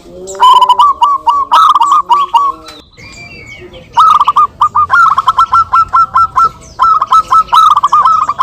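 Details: Local zebra doves calling back and forth, useful as a lure: rapid runs of short, staccato, slightly rising coos in two long bursts, with a brief pause near three seconds and faint background chirps between.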